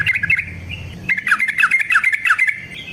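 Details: Yellow-vented bulbul in lively wild-style song used as a lure: a brief burst of chirps, a short pause, then a rapid run of liquid, bubbling notes rising and dropping, with a low rumble underneath at first.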